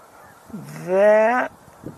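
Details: Geese heard in flight, apparently a large number, some perhaps coming in to land, on a mid-November morning: one loud nasal honk, slightly rising, with faint sounds before and after.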